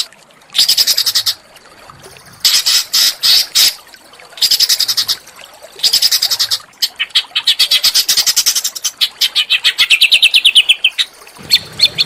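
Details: Training song of small birds for a white-rumped shama: bursts of rapid buzzy chatter separated by short gaps, ending in a long fast trill of high notes.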